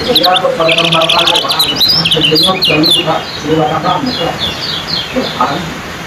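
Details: Competition songbird, a yellow kecial in a speed contest between two birds, delivering rapid high chirps and fast twittering phrases, densely repeated and overlapping, with lower chattering notes and faint voices beneath.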